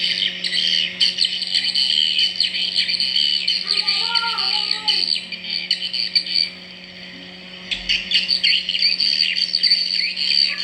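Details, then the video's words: Real swiftlet sound from a swiftlet house: loud, continuous, high chattering twitter that briefly drops away near the middle, with a short lower warbling sound around four seconds and a steady low hum throughout. "SUARA ASLI WALET"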